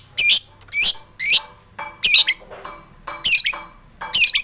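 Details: Long-tailed shrike singing actively, recorded to provoke other shrikes to sing: loud, harsh, scratchy squawking notes in short bursts, about two each second.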